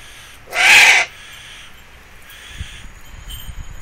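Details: Eurasian eagle-owl uttering one short, rasping, hiss-like screech of about half a second near the start, followed by quiet background with faint low rumbling and a few soft knocks.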